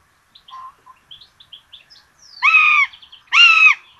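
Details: Common buzzards at a nest camera in Tiszalök, Hungary, on 26 June 2022, where two chicks are fed a rabbit for breakfast: two loud, drawn-out mewing calls with rich harmonics, arched in pitch, preceded by soft high chirps and squeaks.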